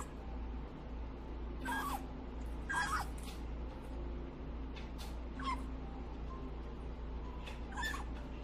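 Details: Young grey parrot fed pellet by pellet out of its cage, whining as it takes each one: five short, thin, squeaky calls spread over several seconds against a steady low background hum.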